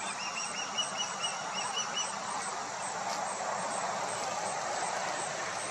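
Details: Osprey chicks in their nest calling to each other; thin, high whistled notes repeated in quick series over steady broadband rushing noise.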